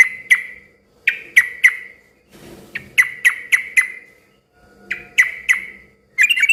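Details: Chatty yellow-vented bulbul singing to provoke replies from other bulbuls: sharp, bell-like notes in groups of two to four, separated by brief silences, ending in a rapid burst.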